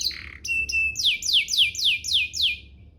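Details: Canary lure song meant to make other canaries reply, with a short buzzy note, two level whistles, then six descending slurred notes repeated about every quarter second.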